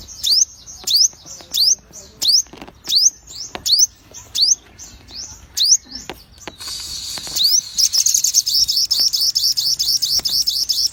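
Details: Sogon bird delivering a steady run of about ten high rising whistles, evenly spaced around two per second, then switching to a long, fast, shimmering high trill.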